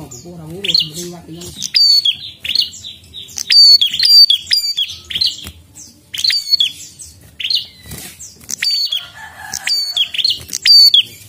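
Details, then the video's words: Prinia singing hard and nonstop: shrill chirps and dry clicking notes repeated in bursts, with a brief low warble at the start. "Prenjak Gacor Ngotot"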